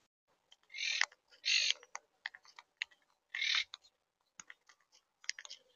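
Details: Monk (Quaker) parakeets in Tampa Bay, Florida: several harsh, raspy screeches lasting about a third of a second each, mixed with many short clicks and chatter notes.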